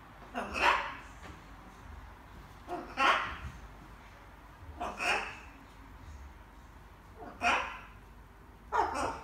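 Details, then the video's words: Evening practice of words by a small pet macaw: loud, rough, speech-like calls with downward sweeps, repeated about every two seconds in a quiet indoor setting. "Wieczorne gaworzenie małej papużki :), Charlie papuga Ara ćwiczy sobie różne słówka"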